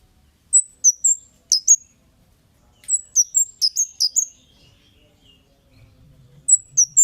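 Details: Kemade calls played as a lure to draw replies from other birds: bursts of very high, sharp chirps, each dropping quickly in pitch, given in quick runs of three to six notes with short silent gaps between runs.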